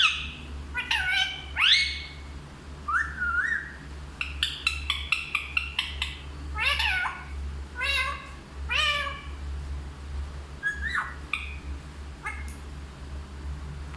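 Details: Hindi-talking parrot producing a busy run of harmonic, voice-like syllables and sharp clicks, some rising, some falling, spaced irregularly over fourteen seconds above a constant low hum.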